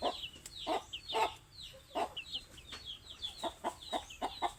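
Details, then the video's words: Noisy hungry chickens: bright, high peeps that slide downward come several per second, broken by louder hoarse clucks about twice a second. "Suara ayam lapar"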